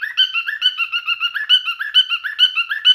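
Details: Male cockatiel singing during mating display: quick run of paired chirps, one rising and one flat, repeated in a tight regular rhythm.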